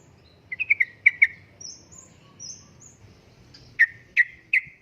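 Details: Yellow-vented bulbul, locally trucukan, singing in the lively uplik-uplik style, used as lure and tutoring sound for caged birds: short bright chirps in quick clusters, then three louder separate notes, with faint high thin squeaks between.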